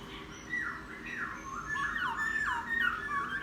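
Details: Laughingthrush caught from the wild and kept ten days, singing after a bath: continuous slurred whistled notes dipping and rising in a steady flowing phrase.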